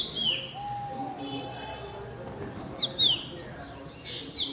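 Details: Baby drongo in its natural habitat, giving short downward-slurred high whistled notes near the start and again around three seconds, with a steady low tonal hum and faint background noise.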